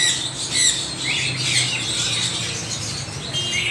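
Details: Extreme parrot noise: a continuous din of harsh, screechy squawks from many birds, overlapping with no pause.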